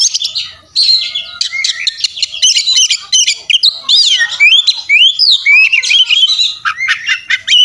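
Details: Oriental magpie-robin in insistent fighting song, full of mimicked fillers for tutoring: a rapid run of chips, harsh notes and looping whistles that continues for nearly eight seconds.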